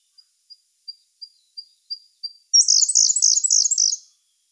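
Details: A Siberian Blue Robin in May 2021 opens with seven soft, thin, high ticks spaced evenly and growing louder, then bursts into a fast, loud, rattling trill lasting about one and a half seconds.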